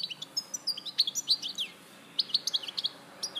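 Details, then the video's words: Song of a European goldfinch in Larache, Morocco, 2014: quick high chirps and liquid slurred notes in two bursts with a short gap between them. "Jilguero Larache 2014"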